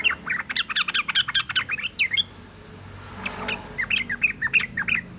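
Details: Female sooty-headed bulbul in breeding condition calling to males: a rapid, lively string of high chirps for two seconds, a short hush with a faint rushing sound, then another run of evenly spaced bubbly notes.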